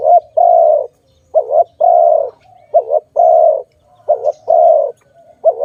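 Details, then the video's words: Cooing of a dove recorded in a bird-trapping context. Low, mellow phrases pair a short wavering double note with a sustained coo, repeated four times in under six seconds against a quiet background. "Sound of good dove"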